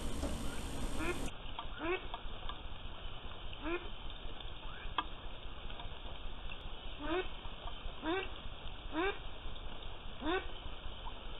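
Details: Young mallards about six and a half to seven and a half weeks old, at a pond, give short, nasal quacks about once a second over a steady hiss of rain, with a faint constant high tone behind.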